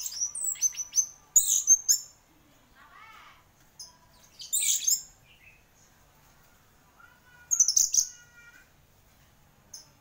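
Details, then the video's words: Orange-headed thrush, a singing champion, gives scattered bursts of high whistles and harsh notes, with long pauses between phrases. "Burung Anis Merah Gacor Juara"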